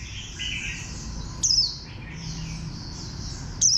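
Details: Warbling white-eye, green and bantam-shaped, utters two short, high, falling whistles about two seconds apart against a background murmur of other twittering birds.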